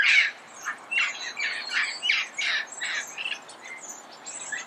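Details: Red-crowned amazon calling early in the morning in Pasadena: a series of harsh, raspy squawks, one loud at the start and then shorter ones about every half second, with faint high chirps from small birds above.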